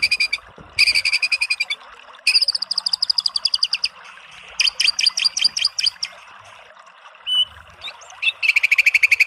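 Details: White-rumped shama song played as masteran to provoke a bird into answering: loud bursts of fast, evenly repeated high notes separated by short pauses, with a brief whistled phrase near the end before another rapid trill.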